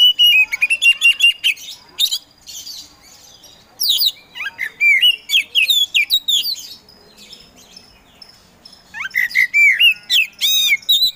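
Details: Caged Oriental magpie-robin, a Kacer Poci contest bird, delivering long energetic song: dense rapid whistled notes, chattering trills and swooping slurs in two extended bursts with a brief lull between.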